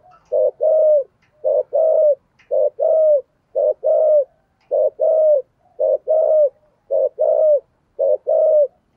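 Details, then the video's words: Spotted dove cooing in the thổ sấm voice style, delivered as thúc gù push-cooing: low, hollow two-part coos, each a short note then a longer warbling one, repeated steadily about once a second in quiet surroundings. "cu gáy giọng thổ sấm thúc gù quá hay"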